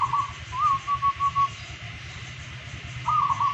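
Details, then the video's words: Domestic local zebra dove, described as a golden-voiced daily singer, delivers a trilled rolling coo, a rising note and four short staccato coos, then starts the next phrase after a pause. Low hum underneath. "Perkutut Lokal Gacor Harian Bersuara Emas"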